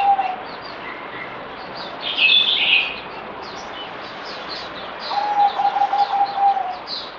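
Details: Zebra dove (merbok) recorded 17 April 2020, on the fourth day of a deworming course: a soft, rapidly pulsed low trill at the start, then a longer rolling trill of about one and a half seconds, with high chirps from other birds throughout.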